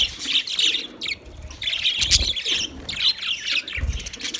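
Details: Several budgies chirp in bursts of bright, raspy twittering that rise and fall every second or so, with soft low thumps and rustles between the high chatter.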